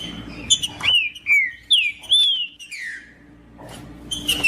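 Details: Green-winged saltator singing, used to stimulate a cold caged bird, from tournament-bird keepers: loud clear whistled phrases, slurred downward notes and rising-falling sweeps in quick succession, with brief pauses and a faint steady hum behind.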